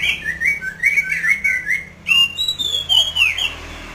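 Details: Masked laughingthrush singing vigorously. A wavering run of whistles gives way after a brief break to a long, loud, sliding whistled phrase that falls at its end.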